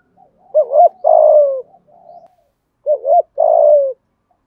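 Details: Spotted dove decoy bird giving a coaxing 'thúc gù' coo in the 'thổ' voice style, used to lure wild doves: two low phrases, each a quick wavering double note then a long, slightly falling coo, about two seconds apart, in quiet surroundings.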